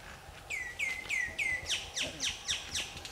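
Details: A Black-hooded Oriole in Kerala gives a quick run of clear notes, first level whistles, then sharp downslurred ones.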